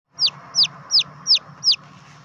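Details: Red junglefowl chick calling: five sharp, high whistled peeps, each sliding quickly downward, repeated about every third of a second over a low background hum.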